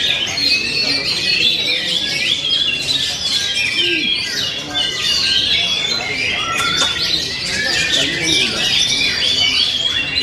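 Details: Vigorous singing from an oriental magpie-robin: loud, varied whistled phrases with harsh squawk-like notes and quick chatter, dense throughout.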